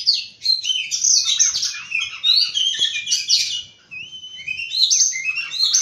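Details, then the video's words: Oriental magpie-robin in morning song: lively cascade of varied high chirps and slurred whistles, a smooth rising whistle midway, then more quick twittering. "Birds Chirping In The Morning| Natural Sound of Birds Singing|Oriental Magpie-Robin"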